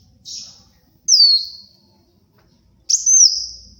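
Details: Sunbird called kolibri wulung, singing vigorously as lure and tutor material: three separate, very high notes, a short buzz, a long descending whistle, then a scratchy note leading into a sustained, wavering whistle.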